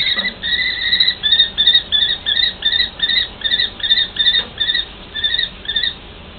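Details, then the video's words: A mated pair of common kestrels in a long call exchange. Short, whining notes repeat steadily about three times a second in a long even series, against a quiet background. "Sokol myšiar - Manželský rozhovor"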